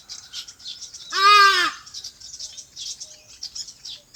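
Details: Farm birds chirping in their habitat: steady high-pitched twittering broken by one loud, harsh, rich-toned squawk about a second in, then light chirps continue.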